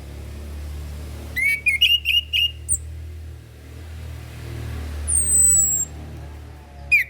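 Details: Orange-headed thrush tutor song for young learners. A quick series of short whistled notes stands over a steady low hum, with a long high thin whistle later and a final rising note.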